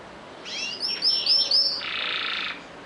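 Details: Brief canary song phrase: a few rising and falling sweeps, then three sharp, bright, repeated whistled notes, followed by a dense buzzy rattle lasting under a second against a quiet background.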